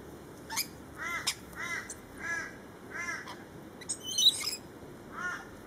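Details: Lorikeets in a feeding frenzy, giving harsh, grating screeches repeated about every half second, with a brief burst of shriller squeals near the end.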